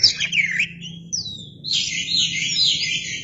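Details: Oriental magpie-robin singing vigorously and spreading its tail, used as a lure recording: clear high whistled phrases sliding down and rising, a sharp falling slur, then a dense run of warbled notes; faint low hum below.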